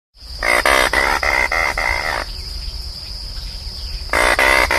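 Anhinga giving a harsh, rapid clicking rattle that runs for about two seconds, pauses, then starts again, over a steady high hiss.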